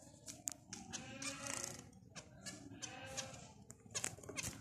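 Zebra finch giving quick, nasal, buzzy notes mixed with harsh, scratchy bursts in a rapid, uneven string.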